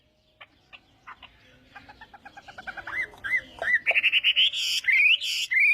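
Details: Chinese hwamei morning song for voice training: soft, spaced clicks speed up and grow louder, then give way to bright rising whistled notes and ringing high phrases.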